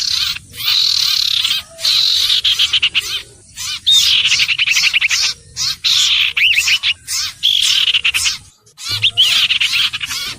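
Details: Common iora singing. Rapid scratchy phrases alternate with clear whistled notes that rise and fall, separated by short pauses.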